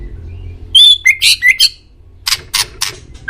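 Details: White-rumped shama master recording for pet birds: a sharp high whistle leads into harsh, scratchy chattering notes, ending in a run of rasping bursts.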